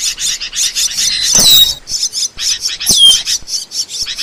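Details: Asian glossy starling, recorded for training songbirds and luring: rhythmic scratchy chips repeated quickly, with two bright, clear whistles sliding downward.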